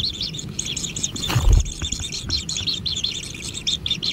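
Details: Kingfisher young calling from their natural nest during feeding: quick, scratchy high chirps in close series, broken midway by a brief loud rustling thump.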